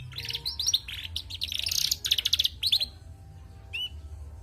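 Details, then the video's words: Female canary singing vigorously; its chattering warble is said to be no sure sign of a male. Fast bursts of high, sharp chirps and buzzy trilled notes run for about three seconds, then a short pause and one rising whistled note. "Bunyi Burung Kenari Betina gacor"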